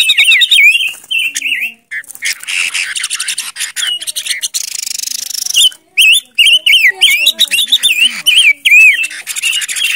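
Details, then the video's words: Silver-eared mesia, known locally as Ngũ Sắc, used as a lure bird: repeated wavy whistled phrases about twice a second, interrupted by a long harsh rasping chatter, then more looping whistles. "Tiếng chim Ngũ Sắc mồi | Sounds of Leiothrix argentauris"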